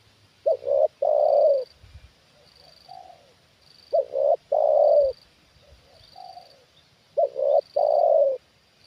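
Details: Spotted dove trained as a decoy, responding to a wild bird brought down a second time. Three loud clipped-then-drawn-out coo phrases come in steady succession, with a softer, more distant coo heard between them and a few low thumps.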